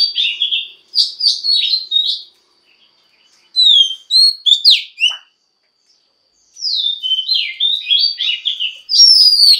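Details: A female Oriental magpie-robin sings to spur males into singing: three separate bursts of quick twittering and sliding whistles, each a second or two long, set apart by clear silent pauses.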